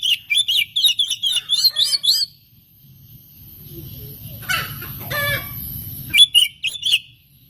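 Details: Oriental magpie-robin singing, recorded as a lure to excite other magpie-robins into full song; a fast run of rich, warbling whistles for two seconds, a pause over low rumbling noise, then more whistled notes.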